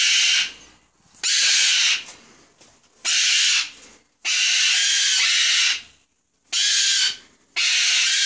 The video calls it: cockatoos screaming